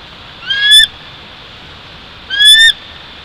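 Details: Bald eagle at its nest about 145 feet up in a Jeffrey pine at Big Bear Lake, California, on 1 April 2023, morning: two high, thin, chittering calls with quick stuttering notes, about two seconds apart, over a steady background hiss.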